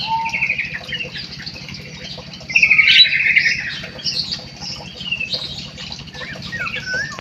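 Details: Munia singing, a string of high, thin chirps and squeaky whistled notes with short buzzy trills, one louder rasping burst near the middle, other small birds chattering, steady low hum underneath.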